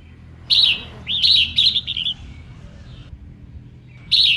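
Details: Female red-whiskered bulbul singing to stir up males, a loud rollicking phrase followed by a run of bubbly warbled notes, a pause, and another bright phrase at the end.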